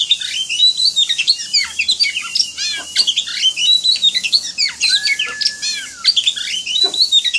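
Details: Oriental magpie-robin singing high emulsion for training other birds: a busy stream of varied shrill chirps and squawky notes, with a long flat whistle in the middle.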